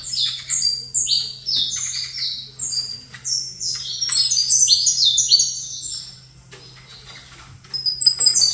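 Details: High, rapid saffron finch song from a bird positioned opposite a rival. Chains of short downslurred notes tumble over one another for about six seconds, pause, then resume near the end. A low electrical hum runs underneath.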